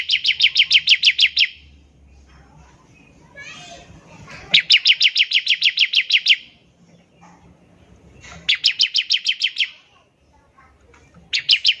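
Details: Bar-winged prinia in full song, its ngebren trilling used to lure other prinias into singing: rapid series of bright, high chips lasting over a second, three bouts separated by quiet gaps with soft background noise.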